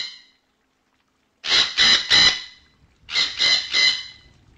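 A parrot gives two bursts of three harsh, grating squawks, each about a third of a second long, with a pause between the bursts.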